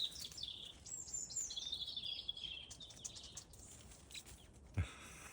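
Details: A European robin sings in a garden hedgerow above brambles. It gives a thin, high warbling phrase that wavers and slides downward, heard softly over outdoor background noise, with a single dull knock near the end.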